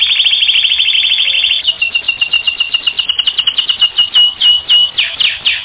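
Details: Canary training song: a long rapid rolling trill at steady pitch, then a chain of repeated sliding whistled notes sung about four times per second.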